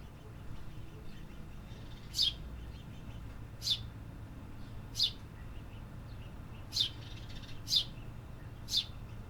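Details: City birds singing in an urban setting: six short, sharp high chirps spaced one to two seconds apart over a steady low traffic-like rumble.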